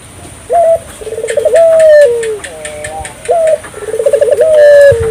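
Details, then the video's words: An energetic African collared dove call used to stimulate local doves: two phrases about three seconds apart, each a short high note, a quick rolling trill and a sustained, gently falling coo, with faint chirping behind. "suara burung puter gacor,merangsang burung puter lokal ikut gacor"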